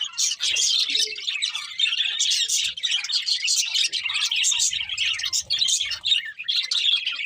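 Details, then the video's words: Budgerigars chattering cheerfully while they eat, steady high scratchy warbling throughout, with soft low thuds in the background. "Happy Budgies Singing and Eating | Love Birds Chirping Sounds"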